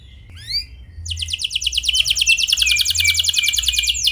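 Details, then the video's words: Canary song meant to prompt other canaries to sing, in the clear rolling ngeroll style: a few high swooping notes, a short pause, then a long, dense, buzzy roll that grows louder to the end. "Suara Kenari Gacor Ngeroll Jernih"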